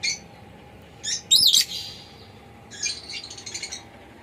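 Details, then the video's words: Pet lovebird chirping: a few short, sharp high chirps, then a loud squeaky warbling burst, a pause, and a quick run of rapid scratchy chirps near the end, over a quiet background hiss. "Lovebird Chirping Sounds So Sweetly"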